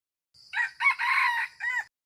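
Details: Wild red junglefowl crowing: a faint lead-in, then a loud raspy broken middle section, ending in a separate rising-and-falling final note, whole crow lasting about one and a half seconds.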